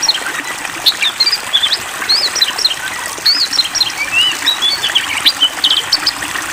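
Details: Long, varied singing from an Oriental magpie-robin, poci type, given water therapy: rising and falling whistled notes, chattering bursts and brief trills, heard through a continuous trickling, gushing water spray.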